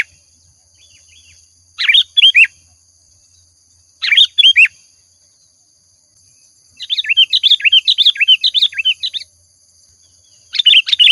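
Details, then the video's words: Sooty-headed bulbul in lively, frequent song used as a lure sound: two short bursts of bubbly, chirping notes about two seconds apart, then a longer rapid chattering run of warbled notes, over a faint steady high-pitched whine. "Suara Pancingan Burung Kutilang Gacor"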